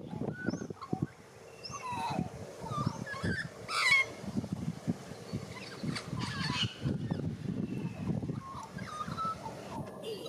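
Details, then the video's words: Young white-backed Australian magpie practising its warble in Australia: harsh, rasping bursts mixed with brief whistled and gurgling notes, delivered in irregular phrases over steady low outdoor rumble. "White Backed Magpie / Warble Song"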